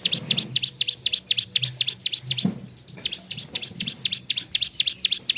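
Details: Vigorous gacor singing of a bar-winged prinia (ciblek sawah): quick high chirps about four per second, pausing briefly near the middle before the same steady series resumes.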